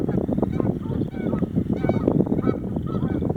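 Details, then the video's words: Angry Canada geese honking at bird watchers walking past; short nasal honks repeat over a dense low rumble, with a faint voice-like murmur mixed in. "Canadian Geese angry at passing bird watchers!"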